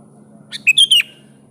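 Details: Sooty-headed bulbul calling a rival with one loud phrase: a soft lead note, then three rich whistled slurs falling at the close, over a faint low background hum.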